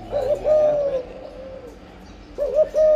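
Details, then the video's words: Breeding spotted dove giving âm lối cooing. A stuttering pair of soft notes runs into a sustained falling coo, then after a quiet gap a new wavering phrase begins. "Chim cu gáy sinh sản, cu gáy âm lối"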